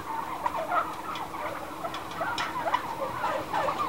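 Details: Many turkeys indoors in a growing house, a clamor of overlapping short warbling calls and yelps, with individual notes popping out irregularly over a steady crowd murmur.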